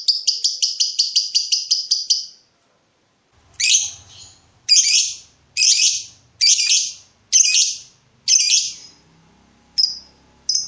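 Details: Lovebird in breeding mood, used as a lure to provoke a rival: a fast run of high rattling notes, then harsh chattering bursts about every second, later short sharp chips.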